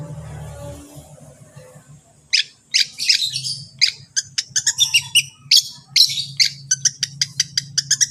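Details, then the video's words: Long-tailed shrike tutor recording meant to set other shrikes singing: after about two seconds of quiet hum, a fast run of sharp chattering and rasping notes that grows denser, then gives way to evenly spaced clicks. "cendet lain bakal langsung bunyi || masteran cendet"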